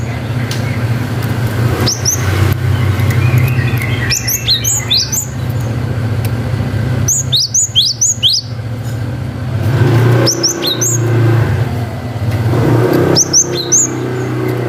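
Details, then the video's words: Cinereous tit (gelatik batu) in full 'wucit panjang' song, used as a lure to make young birds respond. Bursts of sharp upslurred two-part whistles come in several rapid runs, over a steady low engine-like rumble. "GELATIK BATU GACOR WUCIT PANJANG"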